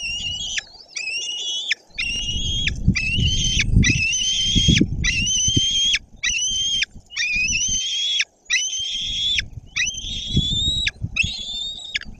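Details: Nestling white-tailed eagle at a nest in Poland's Bory Tucholskie forest, 14 June 2022, on a nest camera, claiming a mid-morning fish brought by the male. About a dozen drawn-out, high, whistled notes with brief gaps and downward-dropping ends, over nest rustling.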